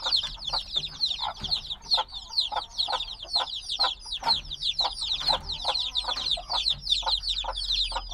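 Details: Recently hatched black chicks, still dependent on their mother's warmth, keep up a loud, crowded peeping; high short chirps slide downward and overlap about twice a second in a continuous chatter.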